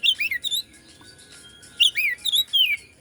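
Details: Indonesian white-rumped shama song meant to provoke rival shamas: bright whistled slurs and falling sweeps in two clusters of rapid notes, separated by about a second of near silence.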